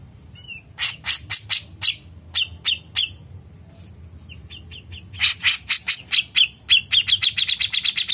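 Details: Grey-cheeked bulbul giving an energetic, long 'ngepik' song: scattered harsh chirps and a soft slurred whistle, then a quickening stream of grating notes that runs into a fast, dense rattle at the end.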